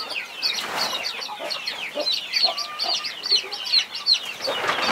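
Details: Hen with her 21 baby chicks under her protection: insistent high peeps sweep downward in quick succession, several bright and close, over faint soft clucking.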